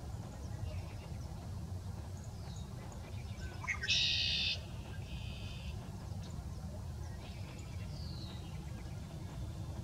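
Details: Male red-winged blackbird defending its territory: a sudden loud, harsh buzzy trill of about half a second, followed by a softer buzzy echo and scattered faint notes against constant low rumble.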